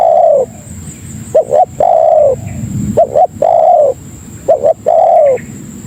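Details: Tekukur, the spotted dove, giving a lure call meant to draw other doves in: paired short coos followed by a drawn-out descending coo, phrases recurring roughly every one and a half seconds over a constant thin high hum.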